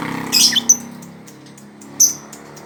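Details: Lovebird giving short, sharp, high squeaky chirps: a rough burst followed by a quick thin note, then a single clear chirp about a second later, over a low indoor hum.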